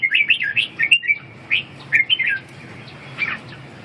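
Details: Red-whiskered bulbul singing short, clear whistled phrases with swooping notes in quick groups, then a brief pause and one last softer phrase.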